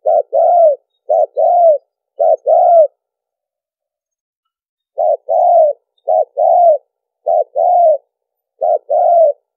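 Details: Spotted dove lure recording used for bird trapping: low hollow coos in grouped phrases, each a short note followed by a longer one, repeated in sets separated by a pause.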